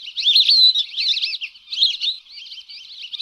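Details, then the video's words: Lesser whistling ducks (Dendrocygna javanica) used as a lure call give a steady run of high, wavering whistles, several birds overlapping in a twittering chorus with no other sounds. "SUARA PIKAT BURUNG BELIBIS ALIS KUNING/dendrocygna javanica"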